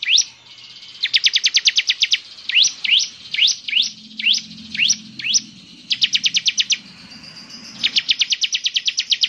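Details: Singing bar-winged prinia alternating fast trills of high chips with slower rising, upslurred whistled notes, then more rapid chip bursts; a low murmur sounds faintly beneath.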